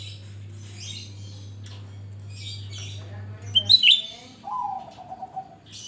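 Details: Grey-bellied bulbul in full voice as a lure for other birds: a sharp high chirp burst, then a smooth descending whistle, among faint high twitters; low hum fades early.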